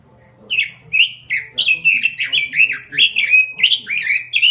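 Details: Robin singing energetically: a continuous rush of clear, looping whistled notes, each bending down and up, about two per second, over a faint hum.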